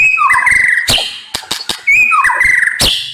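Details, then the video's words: White-rumped shama song in two matching bursts: a rising whistled slur into a warbled trill, cut by sharp clicking snaps. "MURAI BATU NEMBAK PEDES"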